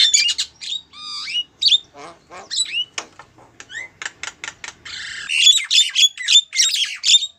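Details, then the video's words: Female Javan myna calling a male: scattered squeaky whistles and clicking notes, growing into a loud, fast run of harsh high chattering calls near the end. "suara burung jalak kebo betina manggil jantan"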